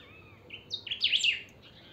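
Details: Saffron finch pica song, used to stir other finches into singing: a short series of high notes building into a dense rushing sweep of trills, slightly softer than nearby phrases.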